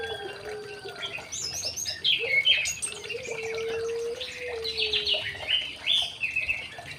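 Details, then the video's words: Young male white-rumped shama kept in an aviary, singing bright whistled and warbled phrases in two bursts, rich slurred notes with sharp accents, over a steady low hum and faint background chatter. "CIRI CIRI MURAI BATU TROTOLAN JANTAN"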